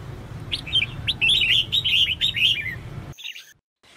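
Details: Calling female red-whiskered bulbul meant to provoke males to sing; a rapid run of chirpy, wavering notes for about three seconds, then an abrupt cut and a brief fragment after.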